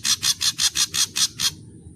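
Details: Ashy drongo in a varied song. It gives a series of eight harsh, raspy, broadband notes evenly spaced about every fifth of a second, then stops abruptly. A low background hum continues underneath.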